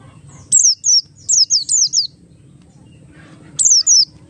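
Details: Oriental white-eye of Buxtoni type delivering ngalas song as a lure for other white-eyes: a string of about six high, descending whistles, a silent gap, then two more.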